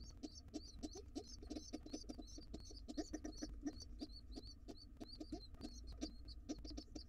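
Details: Wild pigeon nestlings begging hungrily to be fed as their father returns home: rapid, high, squeaky peeps repeated several times a second, with soft low thumps and rustling beneath throughout.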